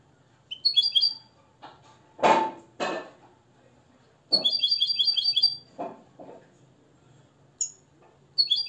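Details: Nest-raised Moroccan European goldfinch taught the limpio song gives bursts of crisp, chattering high trills separated by pauses, with several loud knocking and clattering noises in between.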